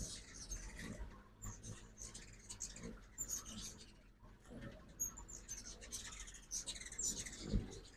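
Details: At a morning feeder in Oxford, Mississippi, migrating ruby-throated hummingbirds keep up busy high-pitched chattering: quick thin chips and ticks, irregularly spaced, over constant soft clicking patter and faint low thumps.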